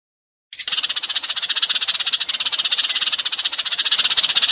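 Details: Sparrow flock-gathering call, used as a lure to draw a whole flock in: a dense, high stream of rapid chirps, about four a second, running on without pause.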